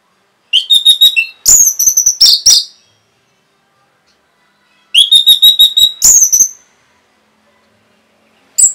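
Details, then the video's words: Rapid Orange-headed thrush song used to stir other birds into singing: two tight bursts of fast, varied notes, each opening with a sustained whistle before tumbling into quick chattering trills. Long silent gap between bursts. "SUARA RAPET ANIS MERAH BIKIN EMOSI BURUNG"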